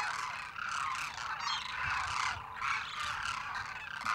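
A large flock of demoiselle cranes calls without pause, an overlapping chorus of harsh, rolling croaks and honks.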